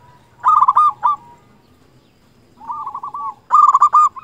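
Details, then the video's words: Local zebra dove singing, meant as a lure to get quiet doves to sing: soft, low, rolling coos broken into quick pulsed bursts, three phrases separated by short silences. "Perkutut lokal gacor suara cocok untuk pancingan semua jenis perkutut yang malas bunyi"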